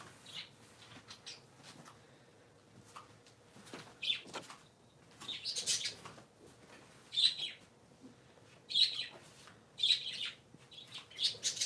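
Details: Three pet parakeets indoors on a Sunday morning give bursts of bright, high chirps and chattering squeaks, calling irregularly every second or two, with soft flutters.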